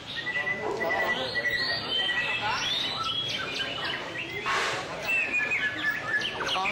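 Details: White-rumped shama giving a song display: varied whistled phrases and sweeping notes mixed with chirps, over steady background noise.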